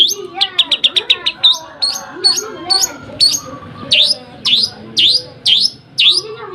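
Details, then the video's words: Nembak gereja sambung singing from a lovebird: a rapid rattle of clipped high chirps gives way to evenly spaced, piercing up-slurred whistles roughly every half second. Quiet low chatter underneath. "nembak gereja sambung love bird"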